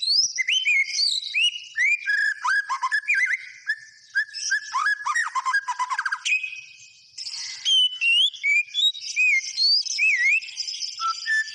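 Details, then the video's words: Energetic white-rumped shama song: cascades of looping whistles, rapid trills and sweeping slurs, pausing briefly midway before resuming with high, bright whistled phrases. "SUARA BURUNG MURAI BATU GACOR"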